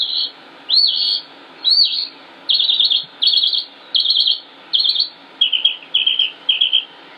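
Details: Male northern mockingbird singing in Concord, North Carolina, 25 May 2016: looping upward notes, then a series of harsh buzzy high bursts, ending with quicker repeated chirps.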